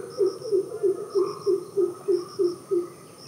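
Greater coucal giving a deep, hollow series of about nine booming 'coop' notes, evenly spaced roughly three per second, with faint high chirps from another bird behind.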